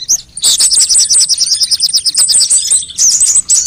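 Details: Sunbird lure sound meant to trick birds into singing: a single chirp, then a long, fast trill of thin, very high, evenly repeated notes, ending in a brief bright flourish of squeaky whistles.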